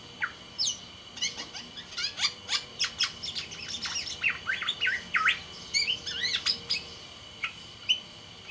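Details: Captive Sumbawa black-naped oriole singing actively: a long, busy run of sharp chirps, sweeping whistles and squawky notes in quick succession, over a steady high electrical whine.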